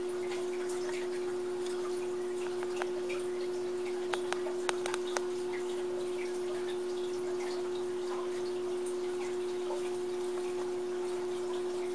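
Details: A steady electrical hum runs throughout, with a few scattered clicks and faint dripping sounds but no animal calls.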